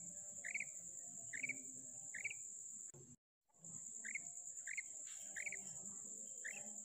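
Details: Female common quail, recorded 19 February 2024: short, upslurred chirps, about one a second, in loose sets of three, over a steady high insect drone.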